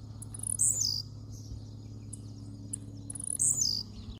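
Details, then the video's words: Blue-black grassquit giving its leaping song: two brief, thin, buzzy notes sliding downward, nearly three seconds apart, over a constant low hum and a few faint ticks. "TIZIU CANTANDO DE PULO"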